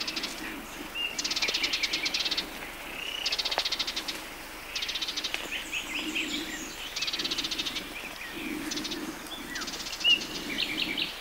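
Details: Sardinian warbler, Matarraña riverside grove, June 2011, repeating short buzzy rattles roughly every two seconds, with scattered thin chirps from other small birds and a low background hum.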